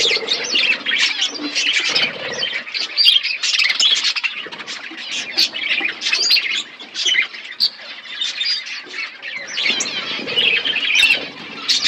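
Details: A budgerigar colony kept in an aviary in a forest environment keeps up a continuous high chattering, a steady wash of overlapping chirps and scratchy warbles throughout.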